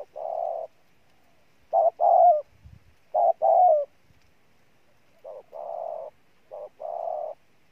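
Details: Wild-caught spotted dove cooing strongly: irregular paired coos, some louder with a falling tail and others softer and flatter, spaced one to two seconds apart, with a brief low thump midway.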